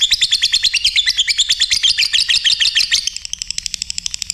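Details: Lovebird singing a dense, rapid chatter of shrill squeaky notes for three seconds, then switching to a softer, very fast ticking trill.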